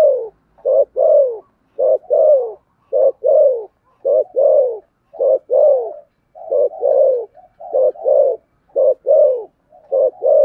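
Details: Spotted dove cooing in the deep 'thổ sấm' voice style with driving 'thúc gù' coos: low hollow coo notes in paired and grouped bursts, repeated roughly once per second, loud and clear.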